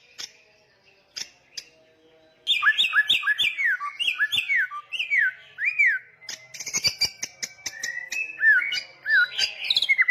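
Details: Samyong songbird in loud, persistent song: after a quiet start with faint clicks, a rapid run of rising-and-falling whistled notes begins, followed by harsher high chatter, sharp clicks and more slurred whistles.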